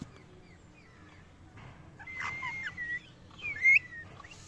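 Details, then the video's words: Parrot chirping: a series of short, whistled notes that rise and bend. They grow louder toward the end, and the clip closes on a brighter, sharper chirp. "Parrot Natural Sounds | Parrot natural voice | parrot Chirping sounds"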